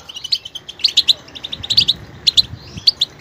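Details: Goldfinch song of crisp, bright chirped notes in quick clusters, liquid twitters repeated several times with short gaps.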